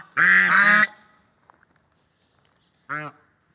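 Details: One long, rough, double-noted swan honk, then near silence, then a shorter clear honk.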